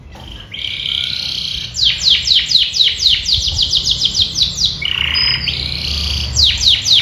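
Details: Canary with bright colouring and upright posture singing an ornate song: a buzzy held note, then a rapid run of descending sweeping notes, a lower warble, and more sweeps, with low background noise.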